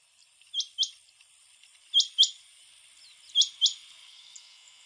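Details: Male rain quails calling on Divar Island, Goa, in September 2017: high, sharp paired notes, each pair a quick double "whit-whit", repeated about every one and a half seconds over steady insect hiss.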